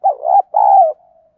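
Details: Spotted dove song used as a fighting lure, 'giọng đồng' style: two hoarse, low coos, the second longer and steady, followed by a faint drawn-out tail note.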